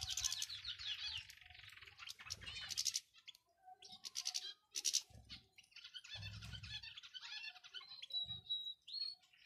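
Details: European goldfinch calls, male and female, played to stir a caged male goldfinch into singing; bright twittering and liquid chirps in bursts, with a few low thumps and a short clear whistle near the end.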